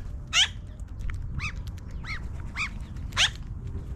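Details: Magpies flying down from a tree: two loud, harsh downward-sweeping calls bracket three softer arched, nasal notes, all within four seconds, with faint low rumble.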